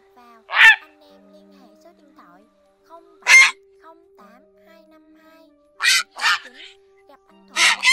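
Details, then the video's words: Grey heron flock call used for night trapping, August 2024: loud, harsh, croaking squawks, single or in quick pairs every few seconds, over a faint steady hum and soft background chatter. "Tiếng Diệc Xám Kêu Gọi Bầy"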